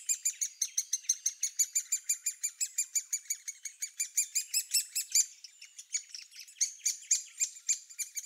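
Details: Great spotted woodpecker (Dendrocopos major) nestlings in a nest hole in France give high, harsh chattering calls, about two a second, in a steady pulsing run that grows looser and more ragged toward the end.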